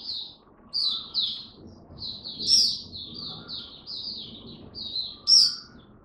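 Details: Kept Oriental white-eye in the bird hobby, on its first day back to singing. A run of high, sweet twittering phrases in quick clusters, broken by short pauses, with a few sharper chirps near the end.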